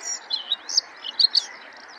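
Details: Bluethroat singing: a short run of sharp, high chirps and clicks, delivered in quick separate bursts with brief pauses, over a faint steady background hiss.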